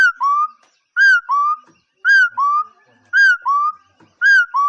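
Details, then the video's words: A bird repeats a ringing whistle in two parts, high then lower and upslurred, about once per second, with faint knocks and rustles underneath. "เสียงนกขอ.,suab noog yij liab quaj zoo heev"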